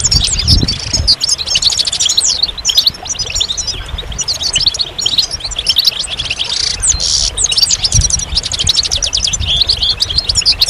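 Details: Extended goldfinch singing: a long, busy cascade of ringing twitters, rapid trills and buzzy notes, with a low thump near the start and another later on.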